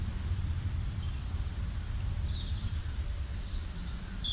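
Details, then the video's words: Chirping birds: faint high twittering early on, then louder, sharp high-pitched chirps and short whistles clustered after three seconds, with a constant low rumbling background. "Relaxing Birds Chirping sound"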